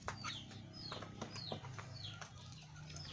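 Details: Javan myna chick kept as a caged pet, calling with a quick series of high descending squeaky notes, several per second, with faint clicks and a low background drone.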